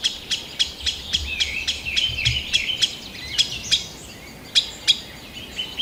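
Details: Green sandpiper recorded in 2020 in Kalinovsky forest park, Yekaterinburg, giving quick, sharp ticks that grow irregular and sparser midway, mixed with wavering high whistled notes and a low background rumble.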